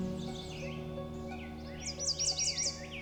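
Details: Singing loudly at eye level, a male American Redstart in Canada's boreal forest at Lesser Slave Lake Provincial Park; high sibilant notes, then a rapid string of about five repeated high chips, with music playing underneath.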